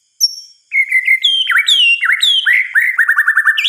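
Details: White-rumped shama singing at night: high thin whistles, then looping, swooping notes and a quick, even run of short slurred notes rising at the end.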